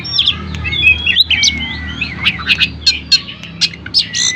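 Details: Oriental magpie-robin singing hard to lure shy magpie-robins into answering; varied whistles and slurs give way to sharp chirps repeated roughly every quarter second, with a soft low hum underneath.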